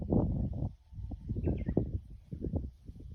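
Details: Japanese bush warbler at Mount Yahiko: a faint steady whistle and a brief pair of higher notes, almost buried under loud, dense low-pitched thumping.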